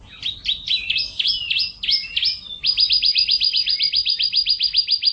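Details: Canary singing a master recording for training: a few varied chirping phrases, then a fast, regular trill of high repeated notes, about four per second, sustained to the end, with clean background.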